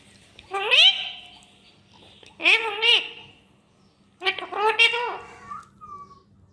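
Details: A pet talking parrot talks in three short bursts of harmonic, speech-like syllables, rising and falling in pitch, with a faint hum behind.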